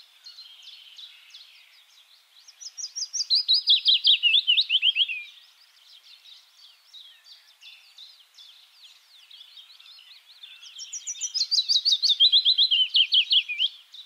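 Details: Willow warbler singing in the Netherlands: two descending phrases of sweet, whistled notes that fall step by step from high to lower pitch, each lasting about two seconds, separated by softer chirps from other birds in the background.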